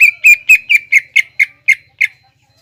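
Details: A greater green leafbird's 'nembak ngekek' lure song: nine or so sharp, slurred chip notes in a quick series that slows slightly toward the end before stopping.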